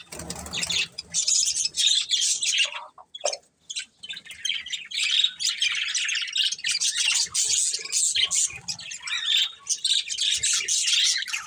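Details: Budgie pair chattering in long stretches of scratchy, high twittering warble, broken by a brief pause and a short lower squawk near three seconds.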